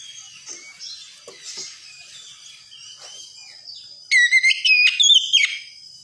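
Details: Oriental magpie-robin song in the wikplong style, used to train a young bird to sing, Indonesia: a faint, quiet, scratchy stretch of soft chirps, then a sudden burst of loud, bright whistled notes repeated rapidly near the end.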